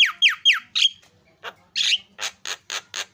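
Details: Javan myna song meant for training other birds: three sharp, falling whistled notes, a scratchy note, then a sequence of harsh, rasping bursts repeated about every quarter second.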